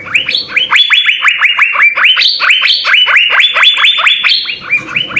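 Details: Energetic full-isian singing of an Asian fairy-bluebird, recorded as a master track for training songbirds: a steady stream of bright upswept whistled notes, roughly two per second, some pitched higher, over faint low background noise.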